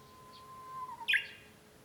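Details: Japanese bush warbler song heard indoors at home, 5 May 2013: a soft, low, sustained whistle that dips slightly before a short, bright, accented flourish. The flourish is the loudest part.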